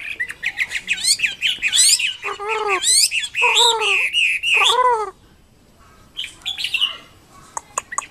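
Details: Energetic wambi kembang mandarin song mixing high sweeping whistles with lower, rich warbled phrases, delivered in dense bursts for five seconds, then a pause and softer scattered chirps.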